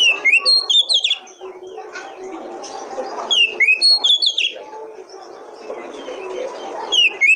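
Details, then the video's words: Oriental magpie-robin song played to make other kacer start singing: three bouts of fast, varied high whistles and slurs, each about a second long, over steady background murmur. "Pancingan Kacer Paling AMPUH,Untuk Pancingan kacer BAHAN agar Cepat Gacor"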